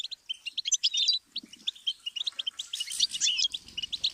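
A goldfinch sings a fast, liquid twittering song of high, tinkling and buzzy notes that tumble on without pause; faint low thumps sound beneath.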